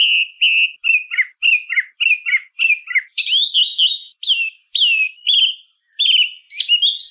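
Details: Singing song thrush delivering a fast series of short twisting whistles, then brighter, higher ringing phrases with brief gaps. Only the bird is heard.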